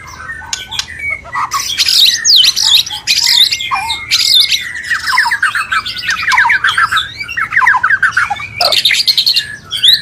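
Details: White-rumped shama mating call meant to bring a bird into breeding condition: loud, varied song mixing clear whistles, rapid rattling trills and harsh notes, continuous with brief breaks.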